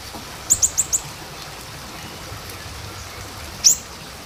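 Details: Lure recording of small minivet: four evenly spaced, very high, thin notes in rapid succession, a short silence, then one louder, slightly slurred high note.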